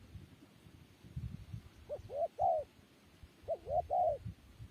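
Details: Two quieter phrases, each of three rising-and-falling coos ending in a longer note, over a hissy background with low rumbling.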